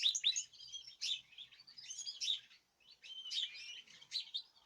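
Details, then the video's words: Caged birds kept on natural food, singing together; high thin twittering phrases and chirps in short bursts separated by brief pauses, fairly quiet. "تغريد جماعي للطيور"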